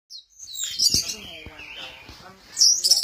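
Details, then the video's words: Orange-headed thrush at Kesamben, swaying in a 'goyang inul' dance, giving high, scratchy twittering phrases with a louder chattering burst near the end; low murmuring voices underneath. "Burung Anis merah, lagi goyang inul"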